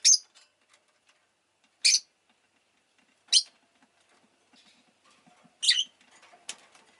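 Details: Shrill, raspy chirps from a pet rosy-faced lovebird repeated every one to two seconds, with soft rustling and tapping noises in the background.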